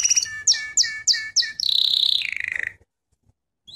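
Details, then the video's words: Canary song from a training lesson: five clipped double notes roughly every third of a second, then a rapid trill that drops in pitch before silence. "Canary Singing - lesson 33"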